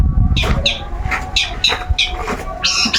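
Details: Long-tailed shrike kept as a pet, put out for its routine sunbathing and calling nonstop. Harsh, scratchy notes come in short bursts about every half second, with low rumbling background noise between them.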